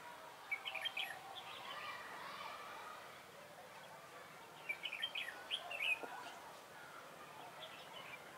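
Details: Trapping decoy red-whiskered bulbul, recorded 3 November 2017, delivering two bursts of rapid, bright warbled notes separated by a quiet stretch, with low ambient hiss throughout.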